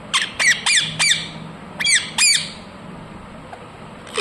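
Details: Ringneck parrot giving four rapid screechy squawks, a brief pause, then two more, followed by near silence.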